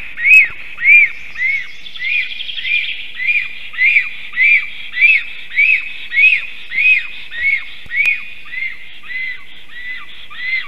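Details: A black stork at its nest near Ogre, Latvia, at 11:40 am on 18 May 2023, sings as the male sees the female: a steady run of arched, whistled notes, nearly two per second, softening and dropping in pitch.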